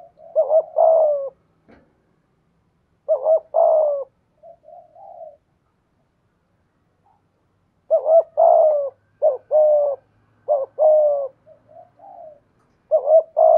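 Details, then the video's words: Spotted dove, a decoy bird with a 'thổ' style voice, utters series of doubled coos with soft trailing notes. There are pauses, then a quicker run of coo phrases toward the end, with quiet surroundings. "Chim Cu Mồi/ cu gay giong tho cuc dinh"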